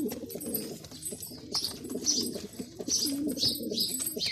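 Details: Performing male Bazi pigeon giving deep, burbling coos in quick, overlapping runs, with short high squeaky chirps breaking in now and then over the rumbling.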